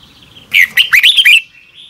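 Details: In the morning a Red-whiskered bulbul gives a brief fired-up phrase in the double-twisting style: six or so bright, slurred whistles rattled off within a second, bracketed by a faint thin tone.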